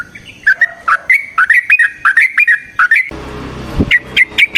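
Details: Sooty-headed bulbul singing chattering variations as a lure for other bulbuls: a string of rising and falling whistles, broken midway by a burst of broad noise before more whistled notes.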